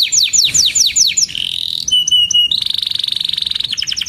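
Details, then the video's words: Canary singing a long varied phrase: quick descending chirps, then a low-pitched buzzy tour, clipped whistled pips, a sustained rolling trill and a final burst of fast chirps. "Burung Kenari GACOR Cuit Cuit EMOSI‼️Pancingan Kenari Paud Belajar Bunyi, Terapi AMPUH Kenari Macet"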